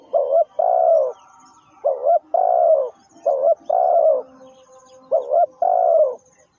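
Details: Spotted dove calling over and over, four two-part phrases in about six seconds. Each phrase is a short wavering coo followed by a longer, steady, gently falling coo. Faint high chirps sound in the background.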